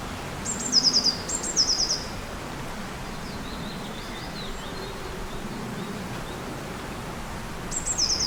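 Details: Birds singing in spring beside the river Odra in Ostrava, Czech Republic, 2022: two short high, thin twittering phrases close together, then a third at the end, over a steady low hiss of background noise.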